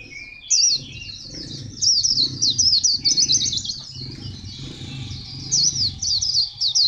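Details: White-eye singing at Phù Yên on 02/10/2015: a rapid, high twittering warble of thin, jumbled notes delivered in bursts with short pauses between phrases, over a faint low hum.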